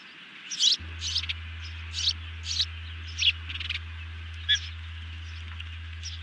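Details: Ospreys at a nest camera during a big evening feeding on 18 June 2020, one youngster well fed; a series of sharp, high chirps in short bursts roughly every half second to second, over a steady low electrical hum.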